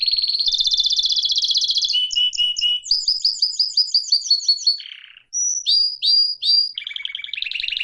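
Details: Singing canary delivering a continuous rolling trill, then chopped note series, a string of quick descending chirps, a brief pause, and sharp swooping notes leading into another warbled roll.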